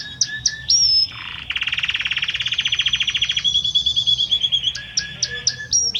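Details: Belgian canary male singing loudly to his female; varied song with whistled notes, a long buzzy rapid trill in the middle, then short chips and upslurred whistles.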